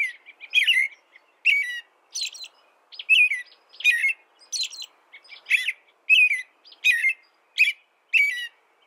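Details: Persistent caroling from an American robin: about a dozen short, rich whistled phrases, many falling in pitch, repeated at a brisk, fairly even pace in a quiet setting.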